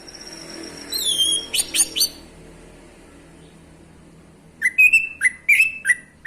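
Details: Male orange-headed thrush used as a lure to get silent thrushes singing: a falling whistle and sharp chirps, a pause of over two seconds, then a burst of rapid, slurred whistled notes rising and dropping.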